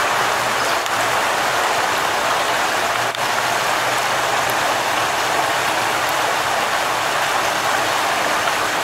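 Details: A continuous hiss of rain-like broadband noise with no animal calls.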